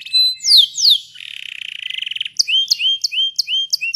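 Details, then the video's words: Canary delivering a long rolling song: a few steep descending whistles, then an extended buzzy trill for over a second, followed by crisp repeated notes that rise sharply. "Kenari Gacor Ngerol Panjang Cengkok Mewah"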